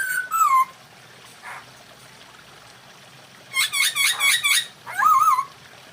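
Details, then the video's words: Masked laughingthrush mating call for raising breeding drive: a falling harsh squawk, a long pause with light background hiss, then a quick burst of rasping notes and a final wavering squawk. "poksay hongkong kawin"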